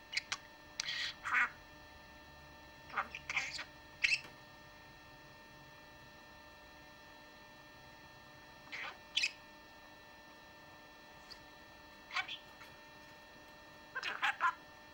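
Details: A pet budgerigar (Melopsittacus undulatus) talks in short, raspy, high-pitched bursts of mimicked words, reciting nursery rhymes, prayers and Bible texts, separated by pauses.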